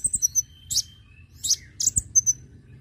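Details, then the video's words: High-pitched konin chirps and thin whistled notes from a lure sound meant to attract birds, several quick squeaks in close succession over a faint low hum. "pancingan bunyi burung Konin"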